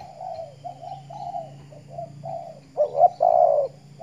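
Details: Spotted dove kept as a decoy bird in the Riau Islands (Kepri), set out to sun in the morning; a run of soft, low, rounded coos, the last two louder and longer, over a steady low hum.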